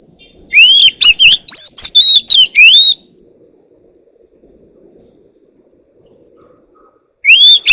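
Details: Oriental magpie-robin singing in the morning: a quick burst of about eight whistled and slurred notes over two seconds, several seconds of quiet, then the song starts again.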